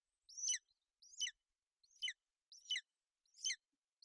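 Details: At a Bucovina golden eagle nest in bad weather, a female shelters her chick, which chirps. Five thin, high, downward-sweeping chirps are spaced about three quarters of a second apart against a quiet background.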